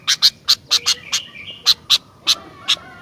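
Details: Sooty-headed bulbul giving a quick, uneven series of loud, sharp high notes, often in twos, with faint whistled slurs running between them.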